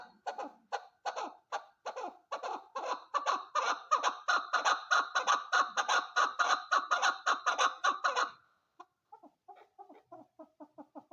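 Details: A female chukar gives a fast, loud chain of harsh chuck notes for about eight seconds, then breaks off into a softer, quicker string of short clucks.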